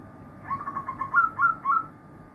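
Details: Zebra doves singing as a chorus of many birds: a run of quick, soft, bubbling coo notes that builds into three louder, ringing, slightly rising notes, over a steady low hum.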